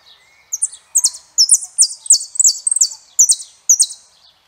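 A saffron finch sings a run of high, bright chirps and short sliding notes, delivered quickly in a steady stream about twice a second.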